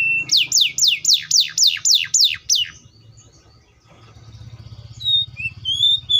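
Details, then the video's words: Canary singing a tour of about nine loud, sharply descending whistled sweeps, evenly repeated at roughly three per second, then a pause with a few faint high notes and short rising whistles near the end; low background hum throughout. "THE VOICE OF THE CANARIA SERINUS"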